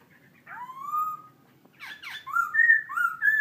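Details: Laughingthrush giving a long rising whistle, then harsh scratchy notes and a series of bright slurred whistles climbing in steps.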